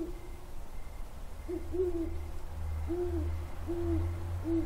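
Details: Great horned owls hooting on 17 January 2022: deep, soft hoots in short runs, the low notes repeating about once a second over a steady low rumble.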